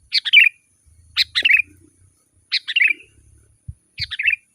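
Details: Sooty-headed bulbul singing short bubbly phrases of three or four descending whistled notes, repeated roughly every one and a half seconds with silent gaps. Used as a lure for wild forest birds and to tutor caged bulbuls.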